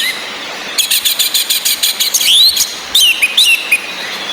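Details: Orange-headed thrush recording used to rouse male breeding drive and singing: a fast series of clipped chattering notes, then sliding high whistles and squeaky phrases, with a constant rain-like hiss behind.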